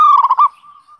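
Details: Zebra dove lure song: a single brief, loud burst of quick, stuttering coos trailing into a soft, drawn-out tail.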